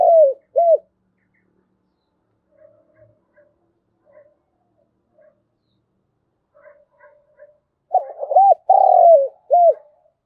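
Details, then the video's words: Morning call of a decoy spotted dove used to lure wild doves. A clipped coo opens, then near-silence with faint soft notes, before one full phrase of short coos and a long, slurred, falling coo near the end. "Chim Cu Mồi _ cu gáy gọi bổi buổi sáng"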